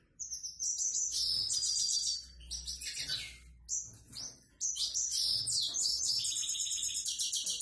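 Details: A grey-headed goldfinch sings a plain, simple-type song: a fast, high, liquid twitter of tinkling notes and buzzy trills, running almost nonstop with two brief pauses over a faint low hum.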